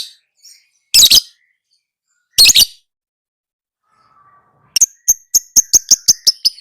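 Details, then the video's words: Lovebird sounds made as training material for other lovebirds: two short, harsh, broad bursts a second apart, a quiet pause, then a quickening run of sharp, high, clipped chirps. "Suara Burung LoveBird~for~ Masteran(biar gacor)"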